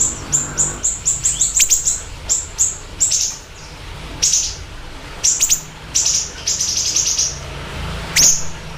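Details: Siri-siri bird singing actively for luring and tutoring: fast runs of very high, sharp chirps at first, then sparser grouped notes and a loud upward-sweeping call near the end.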